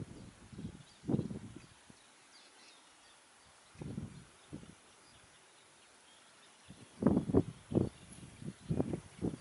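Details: Great egret at Westbroek in the Netherlands on 29 April 2019, giving low, harsh, rasping croaks in short bursts, some single and some in quick clusters of three or four, separated by quiet gaps.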